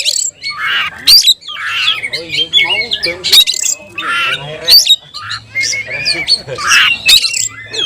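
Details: Oriental magpie-robin, tayoraky variety, delivering a loud varied song of raspy squawking phrases, quick chatter and piercing whistled notes in rapid succession, with a faint low hum behind.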